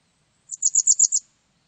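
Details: Japanese wagtail giving a quick series of six high, sharp chirped notes in about three-quarters of a second, evenly spaced, against a silent background.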